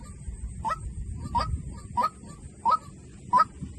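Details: Decoy calling of a white-breasted waterhen: five clipped, nasal honks, each slightly upslurred, repeated about every 0.7 seconds above a soft low-pitched hum.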